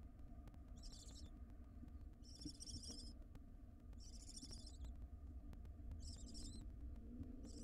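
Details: At a wild nest box, a barn owl mother delivers a captured ring-necked parakeet. Breathy hissing screeches come in five separate bursts, each under a second, spaced about a second apart, with a constant low rumble beneath.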